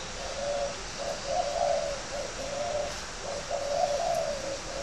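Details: Cooing spotted dove, a competition bird from a breeder's garden in Ba Vì, Hanoi, Vietnam: mellow low hooted notes strung into two long rolling phrases, over steady background hiss.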